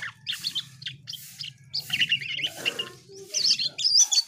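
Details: Asian pied starling in lively song: clusters of chirps and squeaky, metallic notes, growing higher and shriller toward the end, with a low background drone.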